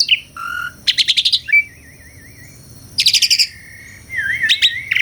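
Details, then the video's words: Asian pied starling song from a real recording: short whistles, fast rattling bursts of clicks, a long wavering trill-like whistle, then more rattles and a rising slurred whistle. "SUARA KICAUAN BURUNG JALAK - JALAK SUREN GACOR MERDU SEKALI..!!"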